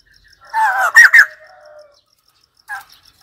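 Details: White-crested laughingthrush giving a harsh drawn-out chattering note followed by two loud abrupt squawks, a trailing soft tone, then a short single squawk after a pause.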